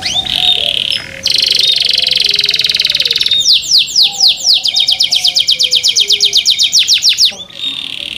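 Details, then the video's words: Captive canaries singing in a style said to draw other canaries into song: a long dense buzzy roll gives way to a quick series of sharp downswept notes, ending in a short pause. "THE SOUND OF CANARIES CAN MAKE OTHER CANARIES JOIN TO SING"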